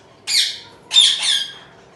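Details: Home-bred zebra finch chick calling indoors: two harsh, buzzy squawks, the second longer and split into two parts, with a quiet room behind.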